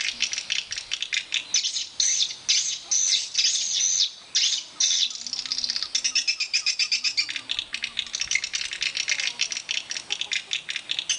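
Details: Swiftlets calling at a swiftlet house: a dense, high chattering of many clicking, buzzy chirps with short pauses between bursts, steady throughout.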